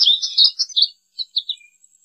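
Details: American goldfinch giving a short burst of rapid, high twittering, followed by a few separate sweet chirps that fade out.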